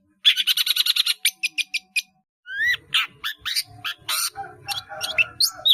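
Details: Long-tailed shrike, caged and singing busily with many mimicked fills for training caged birds: a fast dry rattle of sharp notes, a brief pause, then varied harsh squawks and sweeping chirps.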